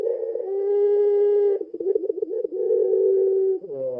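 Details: Puter pelung dove lure call: a sustained low coo, a wavering pulsed section, then another long even coo, closing with a brief falling note.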